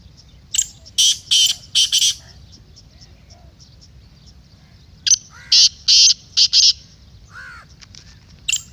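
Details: Kala teetar, the black francolin, in a recording meant to make a kept bird call and prepare it for chakri. A harsh five-note rasping phrase is followed by another after a three-second pause. A third phrase starts at the end, with faint background whistles.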